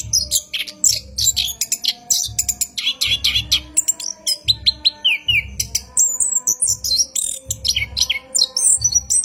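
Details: Caged orange-headed thrush pouring out a long rolling night song used as a training lure: busy high twitters and descending whistles over a soft low thumping repeated roughly every second.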